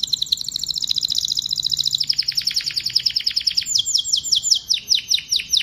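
A canary sings a rapid, high, rolling trill that shifts into slower, separate down-slurred notes, about two to three per second, bright and continuous.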